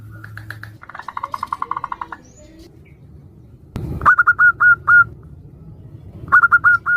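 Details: Female zebra dove calling to the male, local birds answering one another, used as a lure: a burst of fast stuttering notes, then short bright notes repeated about three times a second, with a low steady hum beneath.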